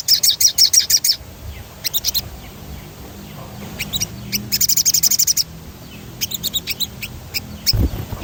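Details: Sogon singing a rolling song to stimulate other birds: fast trilled bursts of high notes, one at the start and one midway, linked by sparse sharp chirps, ending with a low thump.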